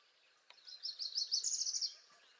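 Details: Spring song of a northern parula: a single high, buzzy trill of rapid notes lasting just over a second, rising slightly before it ends, heard over a faint background of other birds.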